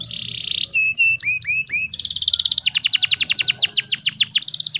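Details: Singing female canary, song meant to stir males into singing: a steady buzzy note, a few rising upslurred whistles, then a rapid trill of sharp descending chips repeated many times, recorded close with a low background hum.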